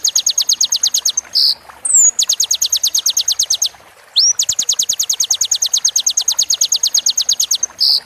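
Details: Kolibri ninja song in roll tembak style, used to train a moulting bird: long runs of rapid, high, sharp repeated notes separated by short buzzy squeaks and an upward-slurred whistle.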